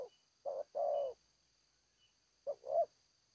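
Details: A spotted dove sings in the Seladang Jati style. Two phrases of deep, soft coos, each a brief note then a longer one, are separated by a pause of more than a second. A steady faint high hum continues underneath.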